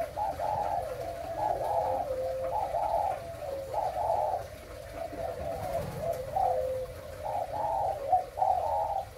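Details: Breeding spotted dove cooing: low, soft, rolling coos in repeated phrases, each a few notes with a wavering lilt, continuing steadily for nine seconds against faint background noise.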